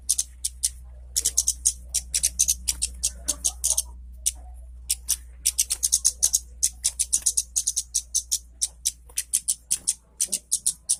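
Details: Lively Orange-headed thrush song played to prompt quiet birds of its kind to sing; long stretches of rapid, high, ticking chirps in clustered bursts, with a brief gap near the middle and a constant low hum.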